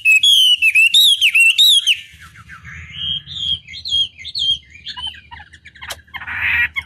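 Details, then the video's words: Chinese hwamei (wambi) song from a lure recording meant to trigger other birds' singing: two seconds of loud, fast, undulating whistles, then softer scattered whistled notes over a low background hum and a brief rasping burst. "Pancingan Masteran Wambi Durasi Panjang Efektif Pancing Lwan Agar Nyaut Emosi Gacor"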